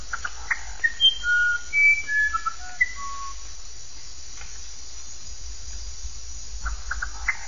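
A musician wren sings a quick run of pure, flute-like whistles jumping between high and low pitches, then falls quiet over a low rumble and faint ticking.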